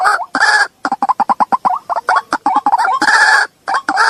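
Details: White-breasted waterhen lure call used to draw out hiding birds: loud, rapid series of harsh clucking notes repeated in bursts, interspersed with broad noisy squawks, sounding agitated and continuous throughout.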